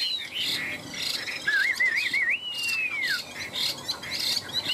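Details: Chinese hwamei, one of two tame birds kept caged for three years, in competitive fighting song: a wavy, warbling whistle rising and falling around the middle, then a long clear slurred note that drops away, with softer chirps behind.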